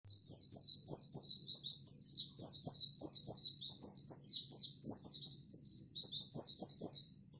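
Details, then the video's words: A local white-eye (pleci) sings non-stop: a fast, unbroken stream of high, thin chirps and twitters, with faint low taps and clicks in the background. The song is used as bait to provoke other white-eyes. "Pleci bird singing/Di jamin emosi Pleci lokal Gacorrr"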